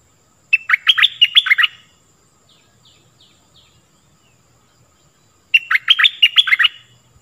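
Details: Repeated lure song of a stripe-throated bulbul, used to teach young birds and call in wild birds: two matching bubbly phrases of quick swooping notes, roughly five seconds apart, with faint soft chirps between.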